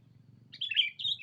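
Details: Sooty-headed bulbul calling a rival on a lure recording, one short run of fluty, wavering notes rising at the end, over low hum.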